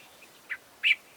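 A Cape bulbul gives two brief, bright notes, a short chip followed by a fuller, slightly burry note, over a faint quiet background.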